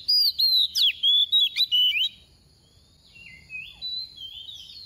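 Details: Decoy oriental magpie-robin giving its 'tìu tíu tiu' song, used to trigger singing in other magpie-robins: a fast two-second burst of clear, swooping whistles, followed by softer, thinner notes that fade out.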